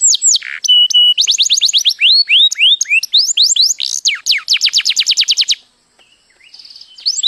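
A canary sings a fast, rolling song of rapid repeated whistled notes and trills, sliding high and low, pausing briefly before starting again.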